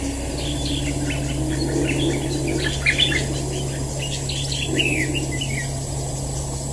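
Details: Red-whiskered bulbul, a warrior bird in a trap, singing a dense chattering stream of warbled, up-and-down notes for most of the clip. A persistent low hum runs throughout.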